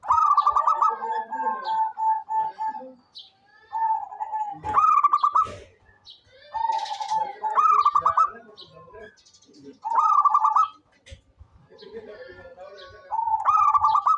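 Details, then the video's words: Local zebra dove singing actively: a sequence of mellow cooing phrases, each a steady coo breaking into a quick stuttering run of notes, repeated about every three seconds, with faint chirps from other birds in between. "SUARA perkutut LOKAL gacor cocok buat pancingan rajin bunyi"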